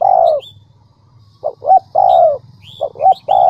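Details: Spotted dove on a lure recording used to draw a quick cooing response from wild doves: loud, drawn-out falling coos and short doubled notes over a steady low hum, with a few high bird chirps.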